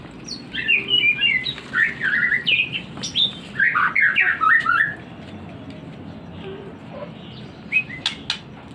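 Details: Oriental magpie-robin, a kept bird, singing in the morning, a time when it likes to sing on hearing water. A rapid run of varied whistled and chattering phrases for about five seconds, then quiet with a few sharp notes near the end.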